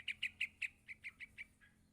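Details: Yellow-vented bulbul chick calling its parent: a series of eight short, sharp chirps near the same pitch, spaced about a fifth of a second apart and fading toward the end, over a quiet background.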